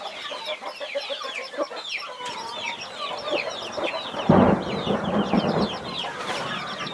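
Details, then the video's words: Mother hen shielding her 21 chicks; steady high descending chick cheeps, then a loud low, gruff burst from the hen near the end while peeping goes on. "Mother hen protecting her 21 Baby chicks"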